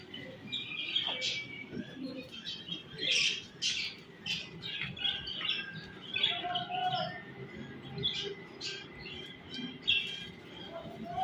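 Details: Budgerigars, adults with their chicks, kept as pets, keep up a soft, continuous chatter of short warbling chirps and squeaks over a steady background hum.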